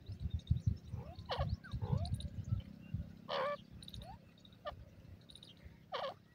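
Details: Partridge giving repeated harsh, ringing calls, three louder bursts among shorter sliding notes, with heavy low thumping and rumbling noise throughout and faint twittering in the background.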